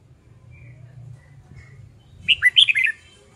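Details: Red-whiskered bulbul singing during song training: a short, loud phrase of five clear, bubbly warbled notes near the end, after a quiet stretch with low background hum.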